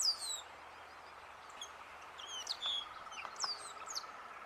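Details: Greyish baywing song: thin whistled notes and short downslurred chips, scattered irregularly over several seconds, faint against a steady background hiss.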